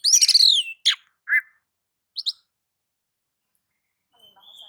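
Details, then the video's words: Oriental magpie-robin (kacer) song in ngobra and nagan mode, meant to provoke other birds to sing: a harsh, rasping burst, a sharp falling whistle, a short low chirp and two quick high notes, then near silence with a faint thin whistle. "KACER akan ikut gacor dan emosi sebab kicau kacer mode nagan dan ngobra ini"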